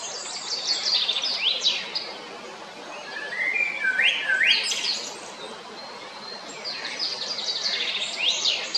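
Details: Eurasian blackbird male recorded 22 April 2021 at Jarun in Zagreb, Croatia. High squeaky twitter bursts frame a few lower fluted, rising notes midway, followed by more rapid high chittering.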